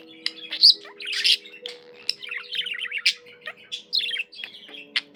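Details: Chirping budgie giving quick runs of rising and falling squeaky notes, bright trills and sharp clicks, strongest near the first second, with faint steady hum-like tones underneath.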